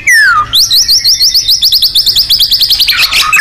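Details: White-rumped shama, a loud, lively nembak-style training recording for contest birds: one falling whistle, then a long, very fast trill of high repeated notes for about three seconds.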